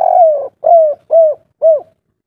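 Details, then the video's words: Kuk 3 style song of a spotted dove from Java: a long, falling, hollow coo followed by three shorter rounded coos at even spacing, clean and close with no other sounds. "derkuku kuk3"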